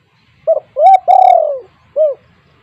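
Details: Spotted dove (tekukur) calling, used to make other doves at home call: a brief double hoot, a rising coo and a long, slightly trilled falling coo, closed by a single soft coo.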